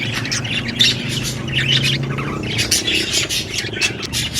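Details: Budgie chirping in a dense, busy stream of short squawky and buzzy notes, scratchy bursts following each other almost without pause, over a steady low hum in the background.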